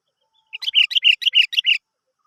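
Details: Lure recording of a sooty-headed bulbul meant to prompt other birds to sing: one lively phrase of about seven quick, chuckling whistled notes in a tight burst.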